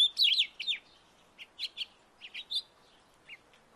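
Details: Backyard house finch giving a burst of quick warbled notes, then scattered short chirps spaced by brief silences, trailing off into a final faint note.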